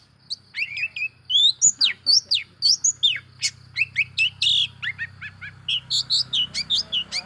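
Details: Long-tailed shrike lure song meant to provoke other shrikes: a fast, varied run of sharp chirps, whistled slurs and buzzy notes, packed densely with almost no pauses and a faint low hum beneath.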